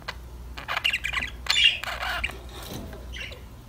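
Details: Budgerigars squawking and chirping during lively play, a few harsh scratchy squawks and sharp chirps in the first two seconds, then softer fading notes, heard as if indoors.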